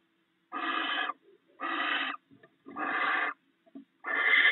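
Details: Male and female barn owls snacking together on rats at the nest: four broad, rasping hisses roughly one per second, separated by faint quiet murmurs and scrapes.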